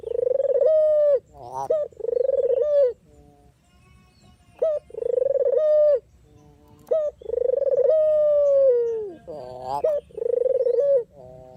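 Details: Barbary dove, a genuine call for trapping lures: a steady series of pulsed, low cooing phrases, each one held then cut off, mixed with short hoarse rising notes and brief quiet pauses.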